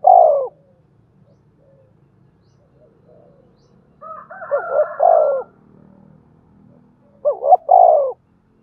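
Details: Spotted dove coos meant to prompt other doves into cooing. A low rolling coo opens the clip, then a busier mix with a higher, thinner call overlapping. A double-note coo phrase closes it.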